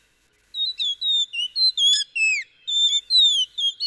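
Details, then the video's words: A Blue Whistling Thrush in the Kumaon Himalayan hills, singing at early morning near village fields, gives a quick run of high, sweet whistled notes, some slurring up and others sliding down, in short phrases with brief pauses. "सुबह सुबह कलचुड़ियां, जिसे पक्षी जगत में ब्लू व्हिस्टलिंग थ्रश कहते हैं, मीठा मधुर संगीत पेश करती है।"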